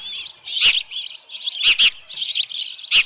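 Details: At the Dunrovin Ranch osprey nest on the evening of 10 June 2018, a headless fish on the nest, shrill repeated chirps carry on continuously. Loud knocking clicks sound several times close to the nest camera.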